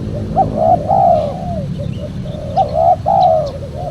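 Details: Spotted dove giving gentle coos used to attract wild doves for trapping; two warbling phrases, each a brief note followed by a longer falling coo, against a constant low rumble.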